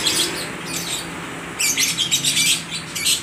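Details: Market lovebirds in Aceh Tamiang, Indonesia, calling back and forth with rapid, shrill chirps, quieter at first, then a loud run of closely spaced high notes in the second half.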